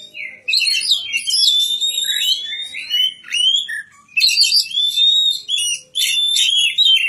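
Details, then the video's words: Magpie-robin kept and reared as a young bird in a village, delivering a loud, continuous song of clear sliding whistles mixed with scratchy chatter, broken by two short gaps. "kicau burung kacer"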